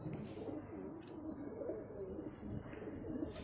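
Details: A pair of Cheene pigeons gives low, soft cooing phrases that rise and fall, repeated through the stretch over steady room-like background noise.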